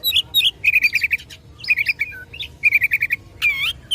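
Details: Oriental magpie-robin singing aggressively to provoke rivals: rapid series of five or six identical clipped notes repeated twice, bright upslurred whistles and a final wavering buzzy note.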